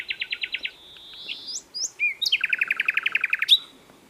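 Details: Asian brown flycatcher (sikatan londo) in full song: a quick series of about seven sharp notes, a drawn whistle with upward flicks, then a long fast even trill of roughly twenty notes.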